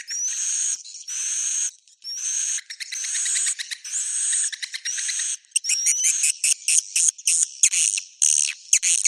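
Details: Roosting swiftlet sound in the Bhayangkari style: rasping bursts with rising whistles and clicking trills, giving way to short staccato chirps in the second half.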